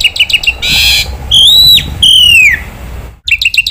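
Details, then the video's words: Black-winged myna training song (masteran), gacor and full of varied phrases: a few quick chirps, a harsh buzzy rasp, then two long clear whistles, one level and one falling, followed by more rapid chirps with abrupt cuts. "masteran jalak putih gacor full isian sekali dengar semua burung jalak terpancing emosi"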